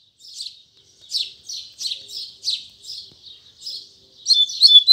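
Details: Double-collared seedeater, morning, Tui Tui Zel Zel song: separate short buzzy chips roughly every third of a second, then a louder burst of thin whistles at the end.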